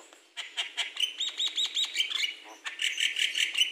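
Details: Javan myna in a large aviary gives a run of sharp, high chirps about three a second, then breaks into a denser, scratchy chatter; other birds may be calling nearby.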